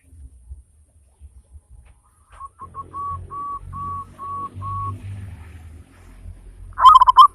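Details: Local zebra dove, a loud-voiced frequent singer used as a lure to stimulate other birds to sing, giving a steady run of short, clipped mid-pitched cooing notes, then a sudden louder rolling burst at the end; faint low rumble beneath.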